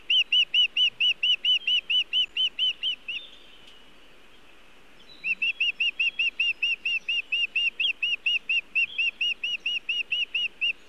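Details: Osprey at a nest in Montana, evening of 1 June 2017, as the male arrives bringing nest material but no fish: long series of piercing, evenly spaced high chirps, about two per second, pausing briefly then resuming.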